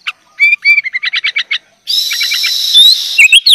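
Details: Sooty-headed bulbul in full 'gacor' song packed with 'isian' fill-in phrases, meant as tutor material for young bulbuls: a run of quick high chirped notes, then a dense buzzy rattling stretch with sharp rising whistles at the end.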